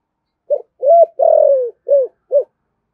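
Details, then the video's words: Spotted dove with a 'thổ' voice cooing 'thúc gù' to provoke wild doves. One full phrase: a short note, an arched coo, a long burred coo sliding down, then two short dropping coos, clean and deep. "cu gáy giọng thổ thúc gù dùng kích bổi, bổi nghe rất nhại gáy"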